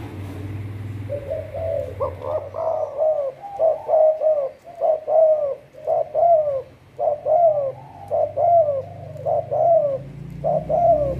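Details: Decoy spotted dove used for trapping, cooing steadily: a run of mellow, slightly rising-and-falling coo notes repeated about once a second in a long series, with a low hum underneath.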